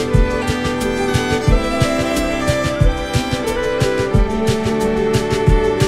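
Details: Bowed violin music with a steady rhythmic beat throughout, and no animal voices audible.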